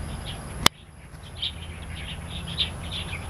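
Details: Flock of wild starlings in Taiwan chattering, with a loud click at first, then bursts of high twittering and chirping notes rising and falling over a faint low hum.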